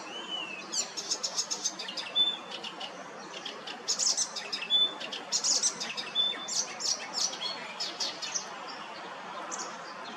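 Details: Varied song of an icterine warbler in a schoolyard tree in Hrodna, western Belarus, on 7 June. Fast, jumbled phrases mix buzzy chatter, sharp high clicks and clear whistled notes with brief pauses between bursts.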